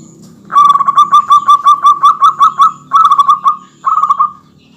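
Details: Local zebra dove (perkutut) singing a dense, provoking song meant to rile rival males: long runs of rapid cooing notes pulsing near one pitch, nearly a dozen in a row, then two shorter phrases; faint low hum underneath.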